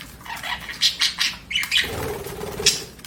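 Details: Pet budgerigar chirping: a short run of sharp, scratchy chirps and squawks in quick succession, followed by a soft low rustle.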